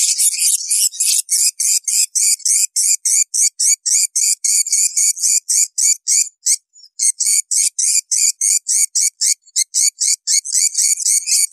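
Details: Edible-nest swiftlet calls used by swiftlet farmers to draw many birds into nesting houses: a dense, unbroken stream of high, buzzy chirps repeated about four times a second, with a single short break midway.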